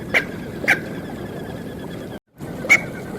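Smew giving three brief, sharp calls, two close together and a third after a pause, over a steady background hiss.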